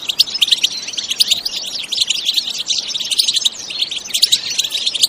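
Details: European goldfinch in a lively bitbita song, no effects added: fast tumbling twitter of slurred chirps and buzzy trills, loud and continuous.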